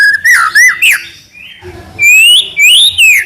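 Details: White-rumped shama song in the trotol gacor style: a few bouncing whistles and a sliding note, a quiet gap, then long, bright whistles rising steadily in pitch.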